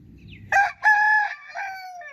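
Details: Rooster crowing: a loud, harmonic, strained cry in a brief first burst, then a longer sustained drawn-out note that falls away at the end, after a moment of soft low rumble.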